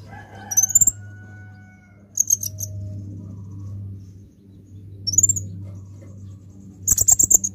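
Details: Olive-backed sunbird (kolibri ninja) lure song: short, very high, rapid trilled bursts at about one, two-and-a-half, five and seven seconds, separated by pauses, over a steady low electrical hum.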